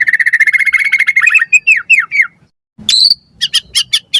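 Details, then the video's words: White-rumped shama, a lure recording used to train captive birds, giving a long run of rapid notes, then falling slurred whistles, a pause, and sharp high bursts. "Pancingan Murai Batu Gacor Auto NYAUT Cepat RESPON Buat Masteran Burung Murai Agar Gacor Full Isian"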